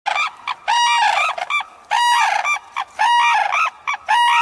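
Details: Red-crowned crane from the resident population of the Kushiro wetlands, eastern Hokkaido, giving loud, ringing, bugle-like trumpets in quick bursts, some short and some drawn out, about one each second with brief gaps.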